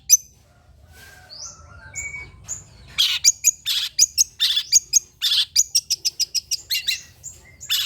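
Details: Long-tailed shrike song played as a lure to draw replies from other shrikes: a few thin whistles and slides, then a fast series of harsh, buzzy chattering notes repeated quickly to the end.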